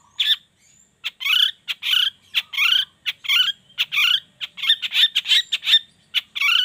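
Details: Morning lure sound of the long-tailed shrike, meant to make other shrikes join in singing: short harsh chattering notes repeated rapidly and unevenly, roughly one and a half per second, clean with no other sounds.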